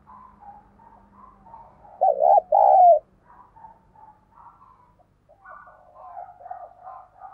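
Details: Lure spotted dove cooing thúc and gáy to bring in wild doves. Gentle repeated coos come before and after a loud pair: a wavering note, then a smooth one. A faint low hum runs underneath.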